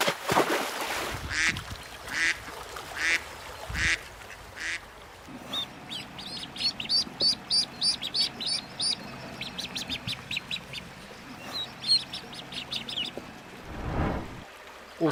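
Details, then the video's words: Little ducks peep in quick, high, irregular series among a few louder, broader calls, over noisy handling sounds. "صوت البط الصغير صوت البش بطوط جميلة"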